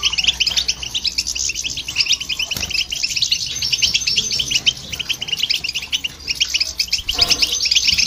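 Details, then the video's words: Goldfinch song with a hybrid present, aimed at stimulating other birds: a continuous torrent of high twittering and trilled notes, with a couple of short knocks and a softer pause in the middle. "Goldfinch And The Hybrid To Hear And irritate The Birds"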